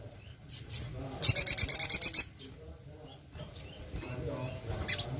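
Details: Crimson Sunbird voice for a sound test and lure: a rapid run of about nine sharp, very high ticking notes lasting around one second, followed by softer scattered chirps and low murmuring.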